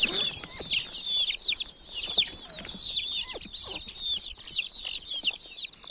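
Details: Many young chicks from a village flock give rapid high-pitched peeps, each a short falling whistle, layered so thickly the chorus never pauses over six seconds.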